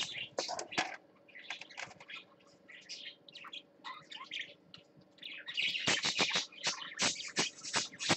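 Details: Parakeet on swings, filmed live: bursts of bright, warbling chirps and squawky notes, fairly rapid and irregular, with quiet pauses and louder busy chatter toward the end, plus sharp clicks.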